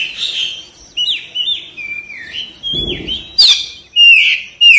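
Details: Oriental magpie-robin in lively therapy song meant to trigger quick response and tail opening. Short whistled phrases, some dropping and some rising, follow each other about once a second, ending in louder sharp notes.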